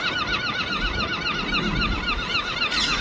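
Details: In London, several gulls call over one another with harsh, wavering, nasal mews repeated several times a second, over a low rumble, perhaps traffic.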